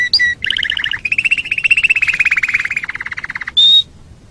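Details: Canary song recorded as a training master for other birds: two brief whistles, then a long rolling trill of rapid repeated notes, ending in a clear high whistle.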